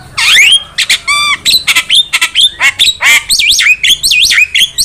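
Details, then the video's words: Javan myna in full, vigorous song, used as a trapping lure and as a master song for training: loud, varied stream of harsh squawks, rasping bursts, and sharp whistled notes that sweep up and down, delivered in rapid, closely spaced phrases. "Pancingan suara burung jalak kebo gacor masteran burung jalak kebo gacor"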